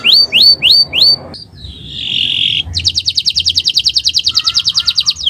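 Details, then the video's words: Owor-owor style canary song for tutoring birds: four rising whistled notes, a smooth sustained tone, then a long, even, fast-pulsed buzzy trill. "Gacor Owor-owor uhuii"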